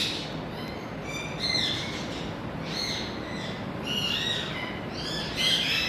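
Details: Colourful talking Indian ringneck parakeet repeating hoarse, buzzy squawks in loose bursts, roughly every second or so, each with stacked raspy layers, over a steady low background hum.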